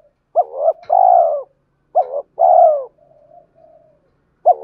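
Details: Cooing from a decoy spotted dove, meant to trigger fighting and to call a mate: two phrases of a quick doubled note and a sustained soft coo, followed by two quiet level hums, with a third phrase starting at the end.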